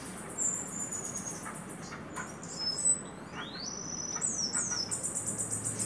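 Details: A male Slate-colored Seedeater on a farm, which sings all day and chases other birds away, sings a high, thin phrase of whistled notes with a quick rising slur and closing buzzy trills, over steady hiss.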